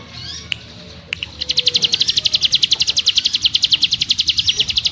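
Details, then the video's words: After a couple of sharp clicks and faint chirps, the mountain prinia launches into its ngebrem delivery, a sustained rapid high trill of quick buzzy notes running to the end. "Burung CIGUN ngebrem nembak rapat - ciblek gunung master suara TEGAS"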